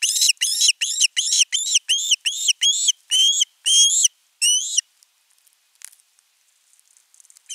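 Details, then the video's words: Osprey chick at a nest camera in Finland, nest 3, 10 August 2021, begging at length for fish before an adult delivers a whole fish: rapid series of sharp, high, upslurred whistled yelps about every third of a second, then quiet. "Myy huutaa pitkään kalaa"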